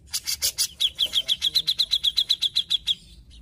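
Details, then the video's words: Grey-cheeked bulbul singing actively: a few loud, raspy bursts lead into a long, rapid chain of about sixteen sharp, high, ringing chips at a steady pace. "Terapi Cucak Jenggot Gacor"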